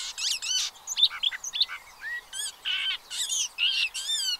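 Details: Pied avocets with chicks, Séné Nature Reserve, Gulf of Morbihan, France, 30 April 2023, recorded from an observatory: a busy run of sharp, clear chirps and fluty notes, each burst rising and falling, about every half second.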